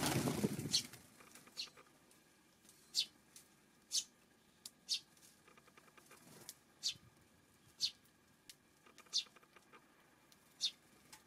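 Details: Eurasian tree sparrow, June 5 afternoon, with a low rumble at the start, then sharp single chirps spaced about half a second to a second apart, fairly even in loudness.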